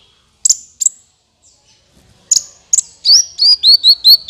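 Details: Sunbird calls played as a trapping lure: a few separated high sharp chips, then a fast series of loud high whistled notes repeated about every quarter second.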